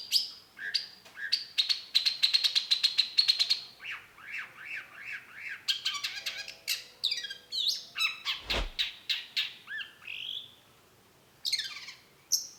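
A long-tailed shrike pours out a varied, chattering song of quick high chirps, buzzy trills and harsh squawks, changing phrases every second or two.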